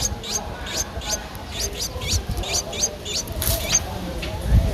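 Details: Eleven-day-old Streak-eared bulbul nestling in Ubon Ratchathani, Thailand, 13 April 2023, repeating thin high squeaks about twice a second amid low rumbling background noise.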